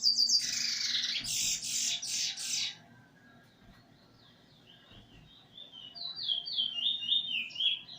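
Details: Eurasian bullfinch practising its song with a tutor bird, 13 August 2020; a harsh, noisy burst of rapid notes opens, then after a pause comes a run of clear, high, falling whistled notes repeated in quick sequence.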